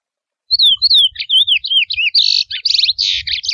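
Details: Chestnut-bellied seed finch, a wild bird, singing mateiro-style: several high whistled notes that slide downward, followed by harsh buzzy and rattling phrases. Each element is delivered rapidly in a clear, close recording.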